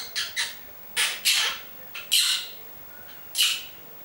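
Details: A pet monk parakeet named Pupi talks, saying its name and words like "love", "kiss", "come here", as about seven harsh, scratchy bursts over four seconds, uneven in spacing and loudness, in a quiet room.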